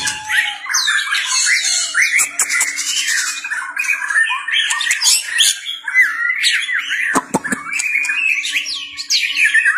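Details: White-rumped shama in competitive singing, tail-flicking: a continuous stream of rapid, varied, squawky warbled phrases at mid to high pitch, with a few sharp clicks near the seventh second and a faint steady hum beneath.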